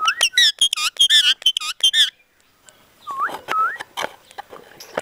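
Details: Talking parrot reproducing Punjabi sentences in rapid, harmonic, voice-like syllables for two seconds, then after a short gap, rising and looping whistled notes.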